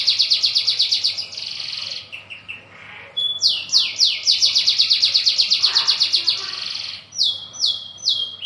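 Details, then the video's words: Local brown canary singing a long rolling song: bright rapid trills of repeated high notes, each phrase a run of quick chirps, with downward-sweeping slurred notes near the end and a brief lower trill between phrases. "SUARA BURUNG KENARI NGEROL PANJANG!"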